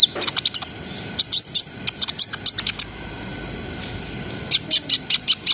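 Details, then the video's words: Brown-throated sunbird giving a gacor ngriwik ngerol song to lift breeding arousal: quick clusters of high sharp chips and squeaks, a pause of about a second and a half, then an evenly spaced run of ticking notes. "SUARA KONIN GACOR NGRIWIK NGEROL SAMBUNG NEMBAK !! COCOK BUAT NAIKNA BIRAHI BAHAN"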